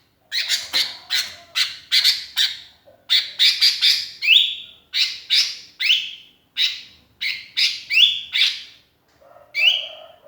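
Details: Sooty-headed bulbul calling to companions, used as a lure: a lively run of rapid harsh chirps, many ending in short rising whistles, delivered almost continuously with brief pauses.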